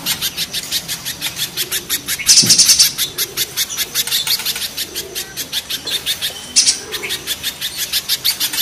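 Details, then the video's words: Harsh duel between spiderhunters known locally as pijantung gunung and pijantung pisang: steady series of shrill high chips, roughly three per second, broken by two short louder bursts. "Raja kasarnya kolibri pijantung gunung vs pijantung pisang"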